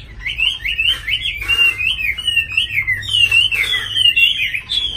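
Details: Hà Nội caged tame Chinese hwamei pours out a lively run of clear whistled notes, each quickly bending up and down, chained almost without a break for five seconds.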